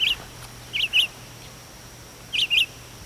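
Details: Mockingbird calling at daybreak from a chimney to its friends, sound carrying down into a house fireplace: sharp high chirps, a single note then pairs of quick notes, spaced by pauses, over a faint steady hum.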